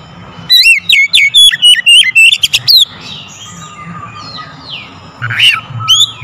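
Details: Lure song of an oriental magpie-robin, used to make other birds sing: a rapid series of clear, loud whistled notes for the first three seconds, then softer distant twitters and a steady faint whine, ending with a few more strong whistles.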